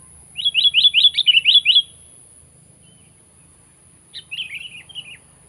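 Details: Sooty-headed bulbul giving a challenge call aimed at a rival: a quick run of about seven sharp, evenly spaced chirps, a two-second pause, then a short, slurred chattering phrase.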